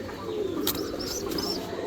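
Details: Improved-breed fancy pigeons give soft, low, wavering coos, with brief high chirps from other birds rising above a steady background hum.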